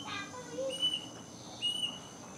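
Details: Plaintive cuckoo in a mango tree by a house in the afternoon, giving two thin high whistled notes nearly a second apart, with a faint murmur and a low soft note in the background.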